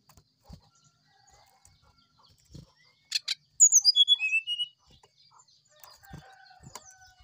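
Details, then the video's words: Morning 'sulingan' song of an oriental magpie-robin, used as master song for training: after a few sharp clicks and soft knocks, a brief cascade of high whistles steps downward, then scattered faint clicks and rustling continue. "Suara sulingan srdc di pagi hari"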